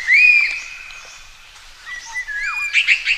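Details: Common green magpie calling for a mate: a long level whistle, then after a gap a series of down-slurred and wavering whistles ending in quick buzzy chattering notes, in a quiet natural setting.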